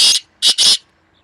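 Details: In May 2024, two black francolins contest each other with their voices; three loud, coarse, grating bursts, the last two nearly joined, then silence.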